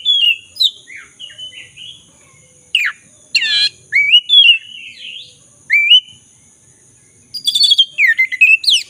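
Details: Black-breasted magpie-robin singing persistently as a lure for silent birds: a varied run of bright whistled phrases, rising slurs and harsh scratchy notes, ending in a fast jumble of sharp chirps, with a constant thin high hum behind.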